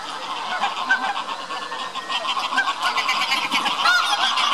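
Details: Lesser white-fronted geese with northern pintails at Tama Zoo, Japan, 24 November 2015, give a dense, overlapping chatter of high, squeaky yelping notes, several a second, with a few thin duck whistles mixed in.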